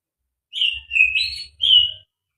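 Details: White-rumped shama (murai batu), a fighter bird with a full repertoire, sings a brief run of three smooth whistled phrases. The middle phrase slurs upward, and light low thumps sound underneath.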